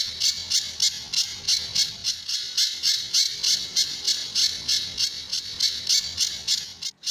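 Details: Pijantur, or Sunda bush warbler, in a master recording meant to keep other birds singing, with tembakan and besetan styles: a fast, even series of harsh, buzzy high notes, about three per second, ending abruptly.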